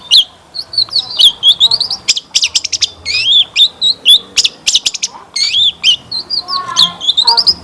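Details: Long-tailed shrike song played as a lure to make other shrikes answer and sing. It pours out buzzy, rising high phrases, sharp chips and scratchy chatter in quick, varied sequence, with a few soft lower notes.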